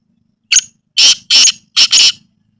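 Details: A Black francolin in a natural village environment gives its harsh, grating call: a short clipped note, then two loud rasping notes and a final doubled rasp, all within two seconds.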